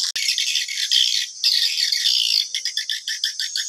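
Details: Swiftlets calling in a 2022 lure recording meant to draw the birds to a nesting house: loud continuous squeaky twitter, then from midway a string of short clipped chirps repeated several times a second.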